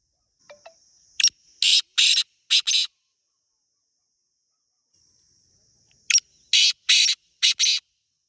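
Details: Black francolin (Teetar) calling in the wild in Pakistan: two phrases, each a thin high note then a click and four rasping, scratchy bursts in quick rhythm, separated by about three seconds of quiet.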